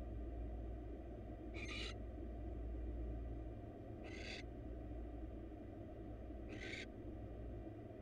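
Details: Barn owls, wild, at a research nest box during a mouse delivery from male to female: three short rasping screeches spaced about two and a half seconds apart, with constant low-pitched hum beneath.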